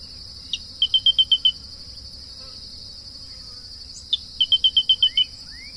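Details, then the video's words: Grey-breasted crake song: a sharp lead note followed by a rapid run of six or seven clipped, high, evenly spaced notes, the phrase given twice a few seconds apart over a steady high insect hum. "CANTO DA SANÃ DO CAPIM (Laterallus exilis)"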